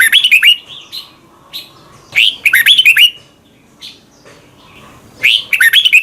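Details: In Thailand a red-whiskered bulbul gives its doubled (เบิ้ล) song, used for teaching young birds: bright rolling whistled phrases near the start, at two seconds and at five seconds, with a few soft single notes between.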